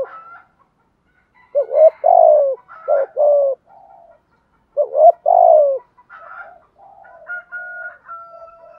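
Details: Spotted dove cooing, played to stimulate decoy birds. Three low, mellow phrases, each a quick stuttered double note followed by a longer descending coo. Fainter, higher whistled notes from other birds come between and after the phrases.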